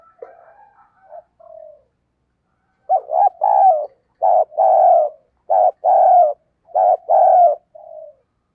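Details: Decoy spotted dove giving urging coos to draw in wild doves. A few faint notes come first, then loud paired coos: a short note followed by a longer hollow one, repeated in steady phrases.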